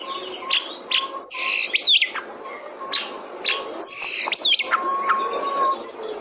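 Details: Oriental magpie-robin (kacer) song used as a trigger recording to get untrained kacer birds singing: varied clear whistles, some sliding sharply, others held flat and low, mixed with short rasping bursts, all over a steady background hiss.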